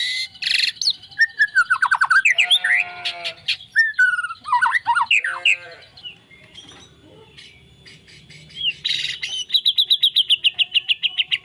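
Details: White-rumped shama billed as a champion fighter, mixing swooping whistles, harsh grating notes and chirps, closing with a fast, even series of high ringing notes.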